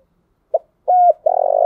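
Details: Spotted dove decoy call for luring other doves, cut short: a brief note, a flat steady coo, then the start of a long buzzy, pulsing coo ending abruptly.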